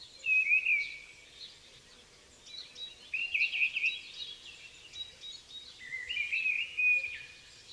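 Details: Mistle thrush singing in a winter forest: three short fluted phrases, each about a second long with brief pauses between, wistful, blackbird-like in a minor key but quicker; faint background hiss.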